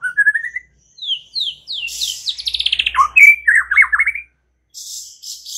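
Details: White-rumped shama song used to lure other birds into singing; clear whistled rising notes, then a run of fast descending slurs, a rapid buzzy trill and a chain of quick repeated chirps, ending in a brief harsh rasp.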